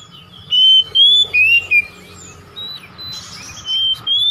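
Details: Home-kept oriental magpie-robin singing a lure song meant to draw out a kept bird's repertoire: clear, sweet whistled notes, some sliding up or down, in short bursts around two seconds, then softer fainter whistles and a final bright phrase.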